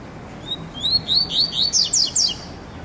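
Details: A double-collared seedeater on its first test outing, singing without a female: a quick run of sweet, slurred whistled notes climbing in pitch and speeding up over two seconds, against a quiet background hiss.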